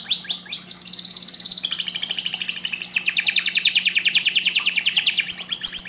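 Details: Singing canary used to excite birds for breeding: a few quick downslurred notes, then a long rolling trill that drops in pitch and runs on in even rapid pulses, over a faint constant low hum.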